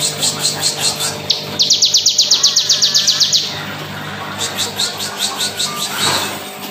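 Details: Crystal-type bar-winged prinia in full rapid burst song, intended as a master recording for teaching other birds: high chips about four a second, then a quick, loud series of piercing ticks lasting two seconds, then steady chipping resumes, with a low hum.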